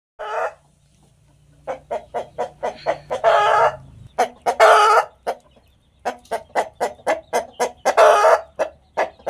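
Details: Hen calling before laying an egg, on a farm: steady series of short, clipped clucks about three per second, broken by louder, harsher drawn-out cackles near the start, around three to five seconds, and again near eight seconds.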